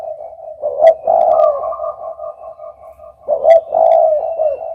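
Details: Spotted dove uttering mellow, low-pitched coos in two louder phrases separated by softer, fading notes, with occasional crisp clicks.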